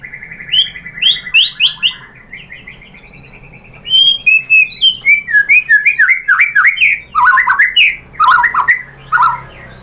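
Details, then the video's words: White-rumped shama lure song to make other shamas respond: a buzzy trill, bright whistled notes, then a long run of fast varied whistles and chirps tumbling up and down in pitch. "pancingan MURAI BATU BIKIN EMOSI NYAUT GACOR BONGKAR MATERI"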